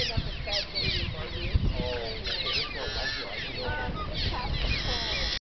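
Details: Cliff swallow colony in Sierra Valley, 19 June 2011: a constant overlapping chorus of squeaky, chirping and twittering calls over a steady low rumble of wind.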